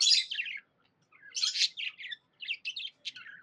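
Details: Happy pet budgie giving a short burst of scratchy chirps, a pause, then a string of rapid twittering notes and quick squeaks.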